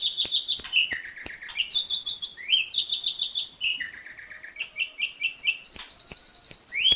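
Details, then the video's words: Jalak suren, the Asian pied starling, in long steady masteran song for tutoring young birds: quick shifting medley of clear whistles, buzzy trills and chattering phrases, some notes repeated in short runs of three or four, ending with a high rising whistle. "Suara burung Jalak Masteran Gacor"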